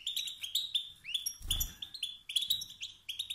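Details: European goldfinch male calling to stir rivals into song and dominance; continuous fast twittering with upswept tinkling notes, a brief low thud in the middle.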